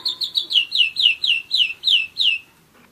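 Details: About ten loud swooping notes, each sliding downward, come from a one-year-old German Roller-split canary, spaced slightly wider toward the end before the song stops into quiet.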